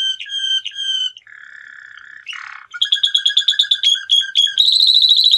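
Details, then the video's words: A male canary runs through varied song phrases: ringing repeated notes, a low flat buzz, a short harsh burst, then quick chopped notes and a bright high trill at the end. "Canario Cantado - Cantec de canar mascul"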